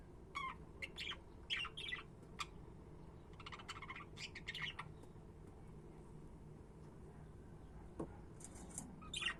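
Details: Budgies chattering in short bursts of scratchy chirps during the first half, then quieter with a few faint high notes near the end over a low hum.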